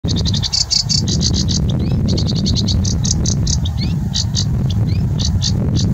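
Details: A sedge warbler sings at National Trust Croome, a fast, scratchy chatter of repeated high notes with rising whistled slurs mixed in, over a steady low rumble of wind.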